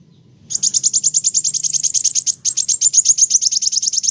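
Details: Olive-backed sunbird (kolibri wulung, kowul) in energetic song, giving a rapid, even trill of high, thin notes about six per second. The trill breaks briefly and then resumes at the same pace. A faint low hum sits underneath.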